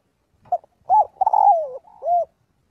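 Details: Spotted dove calling to its flock as part of daily voice training: a short lead note, then three mellow, low coos, the middle one long and sliding downward, in a quiet setting.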